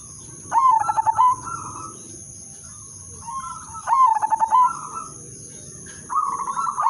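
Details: Perkutut lure bird of the 'udanmas silver' song style, meant to set other zebra doves singing, repeats a clicking stutter that rolls into a level purring coo about every three and a half seconds; a steady high electronic tone runs throughout.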